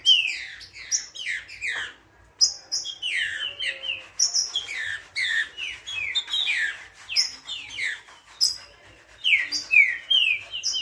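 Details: Green-winged saltator in energetic song: repeated whistled phrases, each sweeping downward, strung in steady bursts with short gaps and a brief pause near the start; background otherwise quiet.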